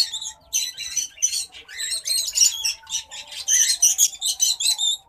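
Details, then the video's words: White-headed munia (Lonchura maja), an estrildid finch, in courtship: a series of soft, high, breathy notes, each a short smear of sound, repeated several times a second with a few thin whistled tones, plus a faint low steady hum. "white headed munia courtship and song"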